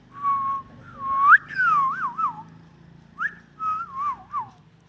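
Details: Indian ringneck parakeet, a Pakistani talking parrot, giving clear whistled notes that slide up and down in looping, wavering phrases, with a pause before a second run of warbled whistles; faint low room hum underneath.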